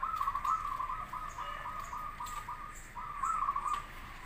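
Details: Zebra dove song, local and crossbred birds, used as a master recording to prompt other doves to answer; a continuous run of rapid, rolling trilled coos at even pitch, briefly pausing before resuming.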